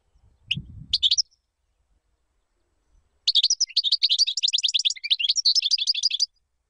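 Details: European goldfinch song for training chicks: two brief chirps with a soft low thump, a pause, then a three-second run of rapid, bright tinkling notes at a steady quick pace.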